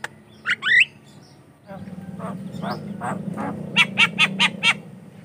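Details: Javan myna singing, a sound used as a lure and for training other mynas: two squeaky rising notes, then a low humming background with soft harsh notes, ending in five quick rasping chirps.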